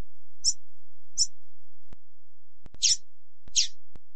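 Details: Female double-collared seedeater call, used to excite males, giving four short, high chip-like calls at irregular intervals, with sharp clicks between them.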